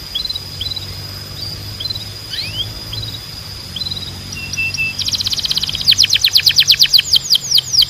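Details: Canary singing for training other canaries: scattered thin rising whistles and a brief flat trill at first, then a loud fast run of sharp downward-sweeping notes building toward the end, with a faint low hum beneath.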